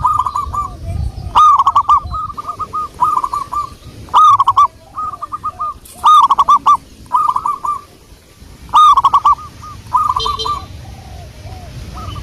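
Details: Local wild zebra dove song used as a lure: rapid bursts of hooked, cooing notes near one pitch, several phrases over twelve seconds with short pauses, softer lower arched coos behind, and faint low background rumble.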